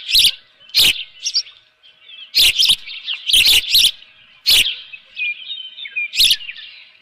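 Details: Osprey calling at its Dunrovin Ranch nest with a live fish, 7:32 AM, 24 June 2018. Shrill chirps come in bursts, mixed with repeated loud knocking or flapping thuds about every second.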